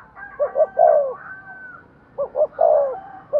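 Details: Spotted dove in excited cooing used to stimulate a decoy: two phrases of short clipped notes and a falling drawn-out coo, over a hissy background with faint higher whistled tones.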